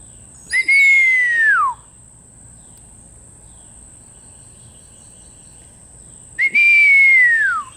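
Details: A Mississippi kite, apparently in a garden magnolia tree before flying overhead, gives two thin, downslurred whistles about six seconds apart, each sliding from high to lower pitch, over a steady high insect drone.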